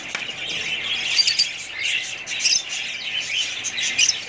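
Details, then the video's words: Several budgerigars warble and chirp nonstop, a bright, scratchy chatter swelling in short waves with a few sharp squeaky notes. "budgies parrots"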